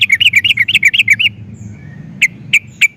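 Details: Sooty-headed bulbul song used as a lure for other bulbuls. A quick string of rolling chirps for a second, a pause, then three widely spaced sharp single notes.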